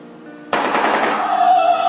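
A shoebill's bill clatter: a dense, rapid, rattling burst like machine-gun fire starting abruptly after a quiet moment, with a faint musical tone behind it.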